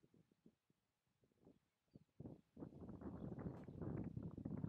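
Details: White stork in Doñana National Park, Spain, in April 2011, clattering its bill: a few scattered dry knocks, then a loud, rapid wooden rattle running steadily for the last two seconds.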